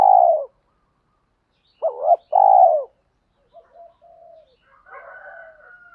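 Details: Spotted dove, male or female, cooing to stimulate birds in training: one mellow coo, then a quick rising note and a longer coo, followed by faint soft warbled notes trailing off.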